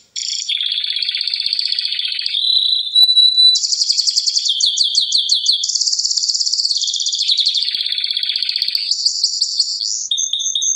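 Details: Domestic canary singing a long, continuous high song of rapid buzzy rolls and trills, shifting between pitch levels with brief pure whistled notes, nearly unbroken for about ten seconds; no other sounds.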